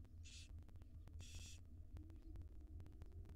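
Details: Female barn owl feeding her tiny wild nestlings in a nest box; two short, breathy hissing screeches from the young, the second longer, above a persistent low droning hum and soft clicks.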